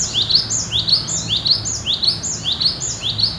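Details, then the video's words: Cinereous tit, singing in the steady, insistent 'gacor nagen' style, said to sound as in the wild: bright whistled two-note phrases, each sliding down then up, repeated about every half second against a low background hum. "Gelatik Batu Gacor Nagen Seperti Di Alam"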